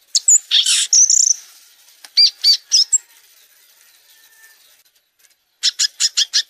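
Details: Song of the violaceous euphonia, a passerine of the finch family: harsh buzzy bursts and a short whistle, a few spaced sharp chips, a pause, then a rapid burst of five or six high clipped notes.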